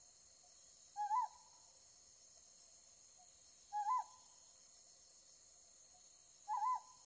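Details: A Ryukyu scops owl calling while lit by a light gives short hooting notes with a quick upward inflection, about every three seconds, over a steady high pulsing of insects.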